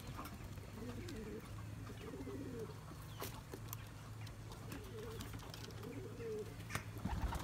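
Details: Domestic Turkish tumbler pigeons from a breeder's loft, males chasing their mates to breed for eggs and young; soft, low rolling coos in two bouts, partly masked by a steady low hum and scattered clicks and knocks.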